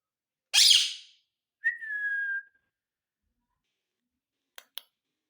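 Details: Talking ringneck parrot gives one harsh, broadband squawk, then a steady, slightly falling whistled note lasting under a second, followed by two soft clicks.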